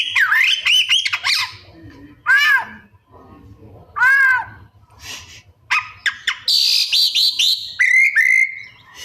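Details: Oriental magpie-robin (kacer) song full of imitated phrases: a wavering whistle, then spaced loud nasal downslurred calls with strong harmonics, scratchy notes, a high buzzy rasp and a level whistled ending.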